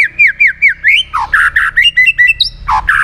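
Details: White-rumped shama singing to prompt other shamas to answer: about six repeated falling whistles, then loud harsh chattering notes mixed with high sharp whistles.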